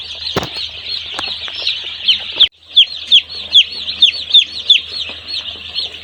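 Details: Day-old chicks on a poultry farm; a few knocks and rustles open, then after a short gap a nearby chick repeats clear, falling peeps roughly three per second above the flock's constant peeping.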